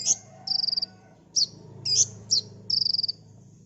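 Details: Olive-backed sunbird singing a rapid 'tembakan' song, recorded as a master for cage-bird training: sharp high chips between short, fast, buzzy high trills, with a faint low hum behind.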